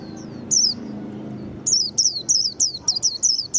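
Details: Japanese white-eye, noted as a quick singer, gives one sharp descending whistle, then after a pause a steady run of about eight high, downslurred chirps.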